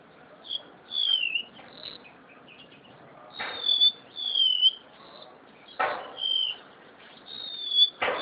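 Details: Captive crested honeyeater, a bird widespread on Java, singing actively: high, clear whistled notes with sharp downward slurs, given in short bursts separated by pauses, with loud knocking and rustling cage noises between phrases.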